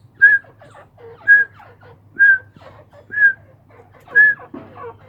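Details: Grey francolin (Irani teetar) kept by a breeder in Khushab, Soon Valley, calling: clear whistled notes repeated roughly once per second, each followed by softer lower chattering clucks; steady low hum in the background.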